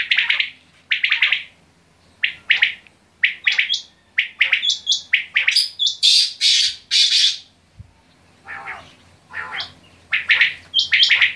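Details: Quail calling at close range, loud scratchy two- and three-note bursts high in pitch, given in quick clusters with short pauses between them, a few sharper squawk-like notes mixed in, quiet background.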